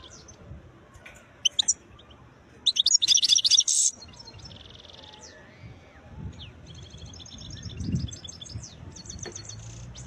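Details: Khlawi (wild) European goldfinch song with beautiful notes: a single high note, then a dense, bright, jangling twitter lasting about a second, followed later by softer, distant trilled phrases over low background rumble.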